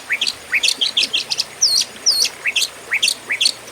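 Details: Contest-style fighting Oriental magpie-robin song for training other contest birds: bright upward-swept whistles given in a steady rhythm, with two loud, high, arching slurs near the middle.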